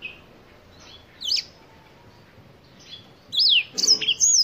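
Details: Black-throated canary from Africa giving a few scattered high chirps, then a loud burst of sweeping whistled notes near the end, with quiet background between.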